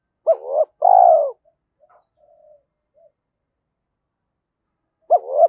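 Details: Decoy spotted dove calling to stimulate wild doves to coo quickly. It gives a hooted note and a long soft coo, then several faint murmured notes, a pause, and a fresh hooted note starting the next phrase.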